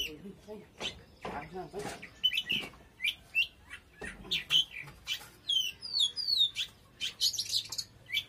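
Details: Oriental magpie-robin singing powerfully: rapid sequence of sharp whistled notes and chirps, with a run of quick descending slurred whistles near the end, over faint low hum.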